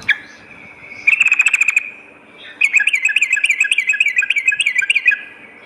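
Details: Energetic sooty-headed bulbul chatter used to lure other bulbuls, morning and night: a short burst of quick chirps, a pause, then a longer, fast and uneven series of bubbly repeated notes.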